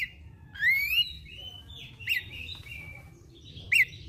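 An Abbott's babbler sings clear whistled notes, one rising and slurred, then two short ones.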